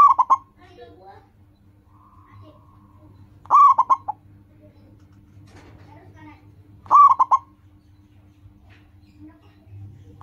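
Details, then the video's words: Singing zebra dove of local stock, a loud song meant to coax caged birds into calling: three bursts of quick, rolling coos about three and a half seconds apart, with faint softer notes and low hum between. "Perkutut lokal gacor, suara seperti ini bagus sekali untuk melatih burung perkutut cepat bunyi."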